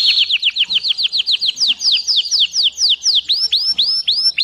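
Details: Domestic canary (canário do reino) singing, as used for training young birds: fast series of sharp descending whistled notes, about four per second, shifting into longer sweeping slurred phrases with a few higher accents near the end.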